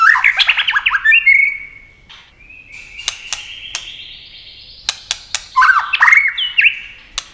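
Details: White-rumped shama singing in a speed competition while flashing its wings and flicking its tail: rich whistled, warbling phrases sliding up and down, a long thin rising note in the middle, sharp clicks, then another burst of fluty notes.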